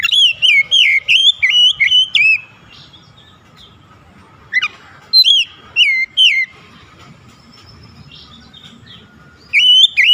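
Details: Oriental magpie-robin song used to prompt lazy birds to sing: loud, clear whistled phrases with sharp upslurs and downslurs, delivered in rapid bursts around two seconds long, separated by quiet gaps with faint low background hum.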